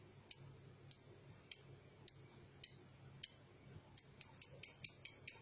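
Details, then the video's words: Lovebird calling in a relaxed ngekek style, used as a lure to get other lovebirds singing. Sharp, high chirps come about every half second, then quicken into a rapid run near the end. "PANCINGAN LOVEBIRD NGEKEK PANJANG SUARA ASLI"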